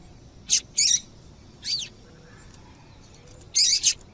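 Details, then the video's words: Female Double-collared Seedeater calling to prompt males into song: a quick series of high, thin, slurred chirps, some doubled, in two bursts separated by a silent pause of over a second, against faint background hiss. "Faça o teste com Esse Piado de Fêmea de Papa capim é Seu Papa capim Vai Ficar Cantando RÁPIDO!!!"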